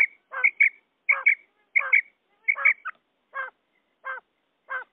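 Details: Common quail calls, male and female, for luring quail: a harsh note followed by two quick ringing notes, repeated about once a second, ending with rough notes alone.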